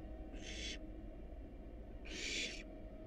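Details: Wild barn owl nestlings in a monitored nest box, hungry while being fed a rat and a rabbit; two harsh hissing screeches, each about half a second long, over a steady low hum.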